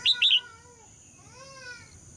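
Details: Red-whiskered bulbul female singing to spur males into song: two quick loud whistled notes at the start, followed by fainter, lower, drawn-out tonal sounds over a quiet background.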